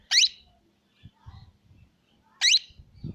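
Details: Plum-headed parakeet giving two sharp, shrill squawks about two seconds apart, with soft low thumps and faint background noise between them.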